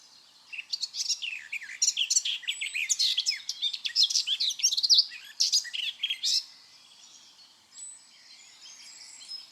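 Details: Garden warbler at Fish Lake Meadows under a gloomy sky, pouring out a fast, rich, bubbling warble of high, varied notes for about six seconds, then stopping; faint background hiss remains.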